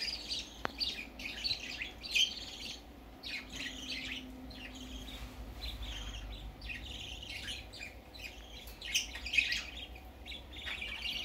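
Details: Young budgerigar going out for the first time, making quiet, steady chattering chirps and short squeaks throughout, with a soft low hum beneath.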